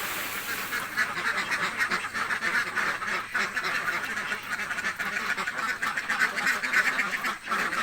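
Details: A crowd of hungry village ducks quacks loudly and steadily, harsh nasal calls packed densely together with barely a break.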